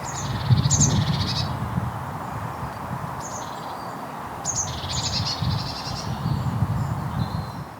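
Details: Eurasian magpie in a spring Sunday morning neighbourhood near woods in Basingstoke, Hampshire, UK, gives harsh, rattling chatters in short bursts every second or two over a steady low rumble of wind and distant traffic.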